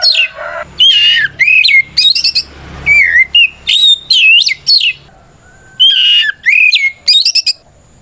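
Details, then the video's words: Fighting song of a white-rumped shama, used to make other shamas answer: varied loud whistled phrases with quick slurs and rattling high notes, a short gap, then more swooping whistles. "Suara Burung kacer gacor NGEPLONG tarung ini paling ampuh buat PANCINGAN KACER agar EMOSI Nyaut"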